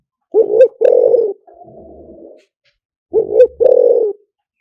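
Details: Lure song of a spotted dove in the liu tan style: two phrases of a quick rising double coo then a sustained burry coo, separated by a faint rough murmur.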